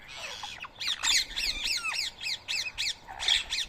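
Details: Rose-ringed parakeet screeching while feeding on soaked boiled rice, Coimbatore, India, Sunday morning, 31 March 2024. A fast, even series of sharp chevron-shaped shrieks, roughly four a second, with a harsher screech near the end.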